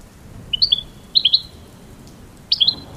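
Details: American goldfinch song heard as three small bursts of high, bright chirps, each a quick pair or trio of rising and falling twitters, separated by short pauses.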